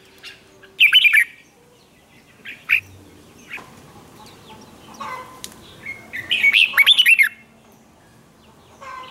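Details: Red-whiskered bulbul contest song used to provoke birds into answering; a brief loud warbled burst early, sparse soft chirps in between, and a longer run of rapid slurred notes near the end.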